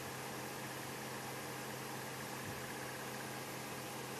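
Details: Steady broadband engine hum and hiss from an idling vehicle, with no animal sound.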